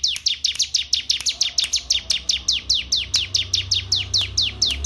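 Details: Male canary singing a steady trill of sharp, downward-sweeping whistled notes, about four per second, evenly repeated throughout, over a soft low background hum.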